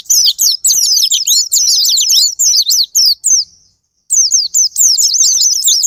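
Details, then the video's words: Japanese white-eye song played as a lure to provoke other white-eyes into singing: rapid, dense high twittering of sweeping whistled notes in quick bursts, a brief pause near the middle, then renewed chattering. "Pancingan Super Gila Sparing Patner,ampuh buat pancingan Semua jenis burung pleci pemicu andernalin"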